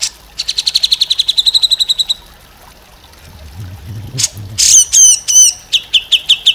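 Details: Grey-cheeked bulbul (cucak jenggot) used as a tutor recording for songbirds: a rapid chattering trill of about twenty even notes, then loud slurred whistles and a run of short bright piping notes, with faint low rumbling in between.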